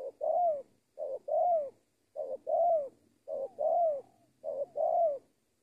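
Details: Indonesian spotted dove being trained as a decoy, delivering five even two-part coos: a short lead-in note running straight into a fuller, downward-curving hoot, regularly spaced in a quiet setting.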